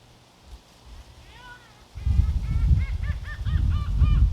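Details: Gulls calling along the seaside walkway at Oepo port on Ganghwa Island, with wind. Short harmonic cries start faintly, then grow into a fast, uneven series of repeated yelping notes over a steady low roar of wind.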